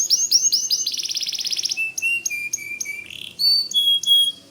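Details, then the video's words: Full, vigorous song of a white canary, offered as tutor song for white-rumped shamas: rising chirps, a dense high trill, then clear separate whistled notes at several pitches. "Suara Kicau Kenari Putih Gacor Dor"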